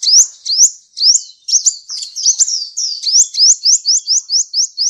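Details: Training song of a sunbird for cage birds. High, thin notes each slide upward, at first spaced and then tumbling into a jumbled cluster before settling into an even string of quick rising chips.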